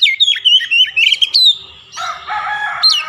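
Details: Oriental magpie-robin in full, lively song trained with Javan myna phrases: quick high whistled notes sliding up and down, then a harsher layered chattering passage, ending on a sharp rising whistle.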